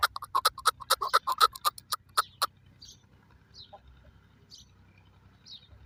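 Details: A chukar partridge, called chakor in Pakistan, gives a quick burst of some fourteen rough clucks accelerating and then trailing off, followed by a few soft distant chirps and quiet background.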